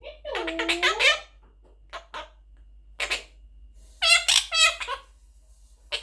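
A young monk parakeet talks in quick, high, reedy bursts of imitated words, several short phrases separated by brief pauses, in a small quiet room.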